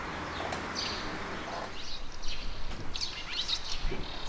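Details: Red-rumped swallows in a flock, recorded 5 July 2020 in Mashiko, Tochigi, Japan: scattered short, high chirping notes from several birds, some overlapping, over steady low background rumble.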